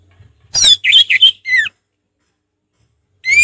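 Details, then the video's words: Orange-headed thrush singing ngeplong style, relaxed: a descending whistle, then warbled buzzy notes and falling slurred whistles, a pause of over a second, and a new bright rising phrase starting. "Anis merah ngeplong santai"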